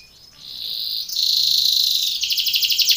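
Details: Canary, a Belgian canary, singing a training song for contests: high sustained trills and rolls, a steady buzzy trill leading into a fast pulsed rattle near the end.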